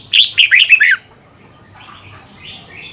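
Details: Brief song burst of a Thai caged Red-whiskered bulbul, played to excite or train birds: a fast string of four or five sweet, slurred whistles within a second, then soft distant chirps.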